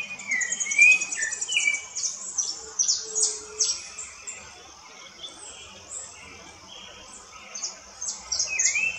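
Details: Rufous-bellied thrush singing in woodland, giving clear fluted phrases with rising slurs near the start and end. Busy high-pitched twittering from other birds runs throughout, with a quieter stretch in the middle.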